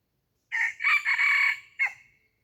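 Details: A decoy red junglefowl used to lure wild junglefowl gives one loud crow: a short harsh opening note, a long sustained hoarse middle section, then a brief clipped final note that trails off, in otherwise quiet surroundings.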